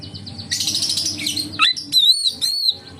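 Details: Oriental magpie-robin song used to lure other magpie-robins into singing: a dense burst of high chirps, then clear whistled notes that rise and fall, repeated in short phrases over a faint low hum.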